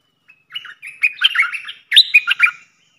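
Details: Caged decoy red-whiskered bulbul used for luring sings a longer run of mellow, slurred warbling notes followed by a bright upswept phrase, in a quiet setting.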